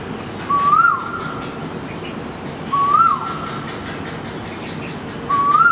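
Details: Before dawn by a window, an Asian koel gives loud, clear, upward-sliding whistled calls, three of them roughly two and a half seconds apart, against a continuous hissing background.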